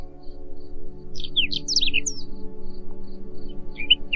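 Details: Song of a Whinchat: one brief burst of sharp descending squeaks and chirps at mid-clip, then a faint short note near the end, all set against continuous soft ambient music.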